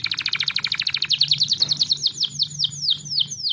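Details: Canary song played to coax lazy, reluctant canaries into singing: a fast trill of even repeated notes, then a run of slower downward-sweeping whistled syllables, with a low steady hum underneath.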